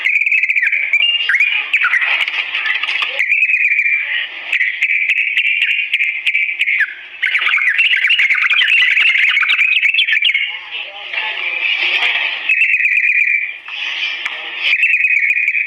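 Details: Extended slow ropel song of a sooty-headed bulbul, played so birds imitate it: near-continuous whistled warbling held in one band, broken by rougher chattering passages and short rests, strong throughout.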